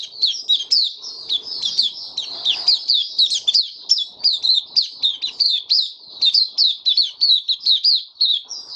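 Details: Opening song of a caged white-eye on 23 March 2022 in warm, humid weather: a continuous, lively stream of very high chirps and short slurred whistles, steady and fast throughout, with faint rustles.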